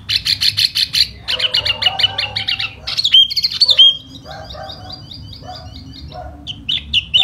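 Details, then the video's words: In spring a tiểu mi, the silver-eared laughingthrush, sings hót xoè: fast buzzy bursts of chips, a couple of sharp whistles, then a softer rolling trill and a few final calls. "Mùa xuân xem chú tiểu mi hót xoè rất hay"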